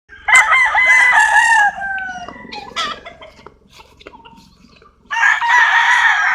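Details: Roosters crowing: a loud, long harmonic crow with a held, slightly falling tone, then quieter clucks, and a second strong crow starting near the end.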